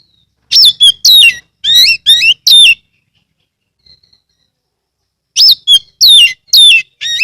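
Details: Kacer or Oriental magpie-robin in Kebumen, Central Java, sung loudly to lure other magpie-robins into singing; two strings of five or so sharp, rich, downslurred notes, split by a few seconds of near silence.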